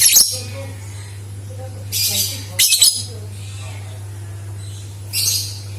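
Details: Lovebird lure calls intended to make other lovebirds sing: sharp, harsh, high screeches in short clusters, with a few faint soft notes between and a steady low hum.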